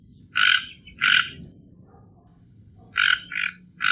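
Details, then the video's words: Toco toucan giving harsh, rasping croaks: two quick grating notes, a pause, then another pair and a third note cut off at the end, over a low background rumble. "Tucano Toco Canto"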